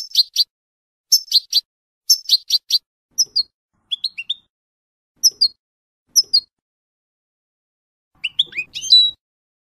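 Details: European goldfinch song used as a training recording to teach young birds the F.O.C.S.E code: bright clusters of high, tinkling chirps repeated in quick bursts, then rising and falling twittered phrases, on a clean silent background.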